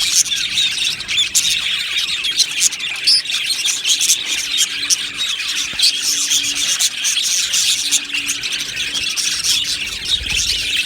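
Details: A group of budgerigars keeps up a constant, high-pitched chirping and scratchy warbling, many voices blending with brief louder squeaks now and then.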